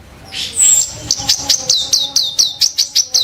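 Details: Ashy tailorbird, a kept songbird, delivering a sharp, harsh song: a high whistled opening followed by a rapid series of about twelve clipped, piercing notes repeated roughly every quarter second.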